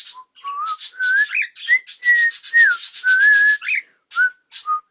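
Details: Sliding, pure whistled notes as a cockatiel works through the tune "Kotori no Uta", some rising, some falling, against a persistent scratchy rhythmic rubbing.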